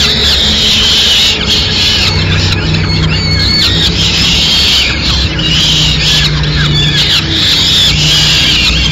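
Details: Peregrine falcon in Madrid, 29 April 2016, as the mother brings food to her chicks: loud, harsh, high squealing calls run almost without pause, in long wavering bursts with short gaps.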